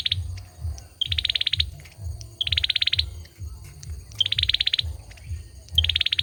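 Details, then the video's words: Male olive-backed sunbird singing: short, fast trills of high metallic notes, each opened by a brief clipped note. Five bursts, spaced roughly every one to one and a half seconds, over a steady low rumbling hum. "Tiếng chim sâu dừa hót | Tiếng sâu dừa trống hót"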